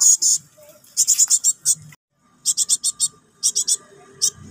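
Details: Cinereous tit young calling for its parent: rough, sizzling rasps delivered in fast clusters, a short silent gap midway, then groups of three to five notes resuming.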